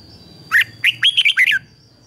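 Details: Red-whiskered bulbul decoy bird in 'ché' song, luring wild rivals: a single crisp phrase of about six fast, liquid up-and-down notes lasting around a second, against a faint background hum.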